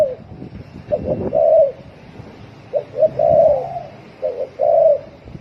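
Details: Rapid cooing of a spotted dove in 'thổ còi' style: three phrases of quick soft hoots rising into a longer warm coo, about two seconds apart, with some low thumping in the background.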